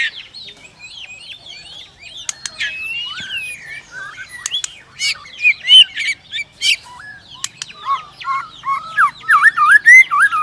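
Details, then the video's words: White-rumped shama, provoked to sing by a female: a varied stream of whistles, sweeps and chirps with sharp clicks, growing louder and more rhythmic toward the end with repeated rising whistled notes. "Chòe lửa kích lửa DÌU BỔI Hót ,tạch liên tục đập đuôi kích chòe lửa lên lửa hót đấu"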